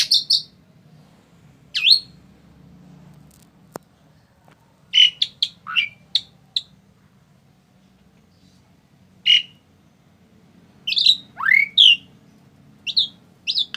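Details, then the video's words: A tame Asian pied starling making scattered short calls: sharp chirps, downward-sweeping whistles and buzzy notes in irregular bursts, with quiet gaps between, over a low background hum. "Burung Jalak Suren Yang Paling Jinak"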